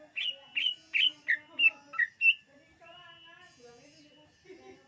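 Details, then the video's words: Greater green leafbird singing, used as a lure for other birds: a run of seven loud, sharp chirped notes about a third of a second apart, then softer warbled phrases and faint chatter. "SUARA BURUNG CUCAK IJO UNTUK PEMIKAT DIJAMIN TERPIKAT"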